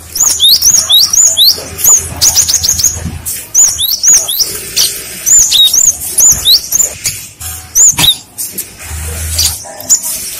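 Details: Lure song of a cinereous tit, meant to make other tits reply at once: rapid series of sharp, high whistled double notes, phrase after phrase with short gaps, and a faint low background drone.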